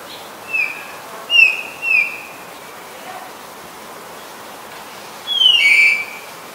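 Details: Black-collared starling, Ubon Ratchathani, Thailand, 10 February 2023: three short down-slurred whistles in quick succession, a pause, then a longer falling whistle ending in a steady note, over faint hiss.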